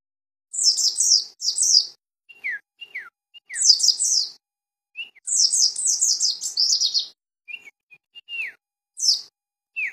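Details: Mountain white-eye from Cisewu, Garut: bursts of rapid, very high twittering chirps lasting about a second each, separated by short lower downslurred whistled notes, in a quiet background.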